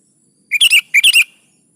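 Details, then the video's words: Kutilang, the sooty-headed bulbul, singing 'gacor' to coax caged birds into song: two rapid phrases back to back, each a clear rising note followed by tumbling bright chirps, in a quiet background. "SUARA BURUNG KUTILANG GACOR"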